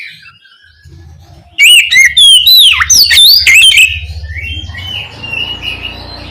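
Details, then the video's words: An Oriental magpie-robin (Copsychus saularis), described as calling its companion, gives a loud two-second burst of rich, varied whistles sweeping up and down, then softer trailing notes over a low background hum. "Suara Burung Kacer Gacor Memanggil Temannya"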